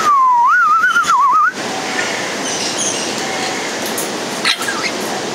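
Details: Congo African grey parrot (Psittacus erithacus erithacus) kept at Warsaw Zoo, Poland: one wavering whistled note, dipping and rising, lasts about one and a half seconds, followed by steady rushing background noise like running water.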